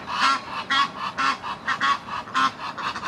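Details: Rival Egyptian goose gander trying to win back his female: hoarse, breathy honking bursts, harsh and rasping, repeated roughly twice a second in an uneven series of about seven calls.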